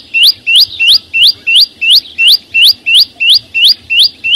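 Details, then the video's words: Flowerpecker song in nature, free of background noise. About a dozen loud, high, sweeping upslurred notes come in a very even rhythm, close to three per second, each rising sharply and ringing clearly. "Tiếng chim sâu xanh hót vang ko tạp âm"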